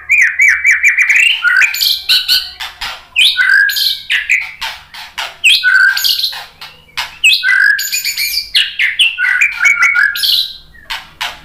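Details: Lure recording of a white-rumped shama to draw answering song: energetic, highly varied medley of clear rising whistles, trills, metallic chips and harsh chatter, rapid phrases nearly four per second, loud and close.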